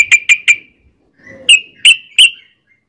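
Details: Yellow-vented bulbul used to lure others into song: three quick whistled notes, a short gap with a faint low sound, then three higher sharp notes, each clear and separate.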